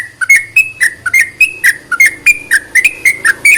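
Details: Sooty-headed bulbul singing, meant to provoke silent bulbuls into song; quick, bright whistled notes tumbling in a bouncing sequence of rising and falling tones, several per second, over a faint low hum in the background.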